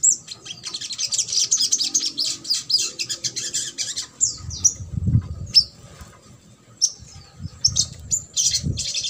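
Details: Ruby-cheeked sunbird in the trotol style, used to stimulate silent or lazy sunbirds to sing: dense high, buzzy twittering in long rapid bursts, with short sharp chips and a low rumbling background.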